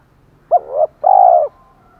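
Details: Spotted dove used as a decoy bird, with a 'thổ pha' voice style, giving fighting and calling coos: two deep hooting notes, a short one then a longer, steady, slightly wavering coo. Background otherwise quiet.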